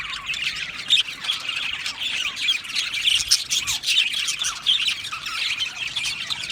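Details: Budgies in a colony aviary, chirruping and warbling in a slightly softer, more separated stream, individual rising squeaks and short chirps audible within the flock chatter.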